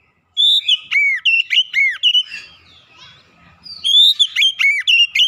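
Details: Oriental magpie-robin giving clear song used as a lure to get silent magpie-robins singing: loud bursts of high, rapid whistled notes with sharp downward slurs, a quieter pause midway, then another fast whistled burst.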